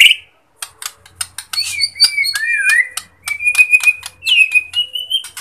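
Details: Shama song of the Borneo type, used as a lure for birds lacking aggression: quieter high whistles and sliding notes mixed with dense clicking and ticking, with a faint low hum underneath.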